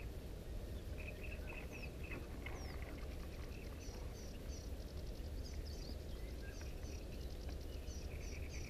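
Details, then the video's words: Distant common reed bunting singing on 1 June 2017 near a power station: short, high, chirped notes given in quick repeated series, with other faint high double notes throughout, over a steady loud low rumble. "Овсянка камышовая"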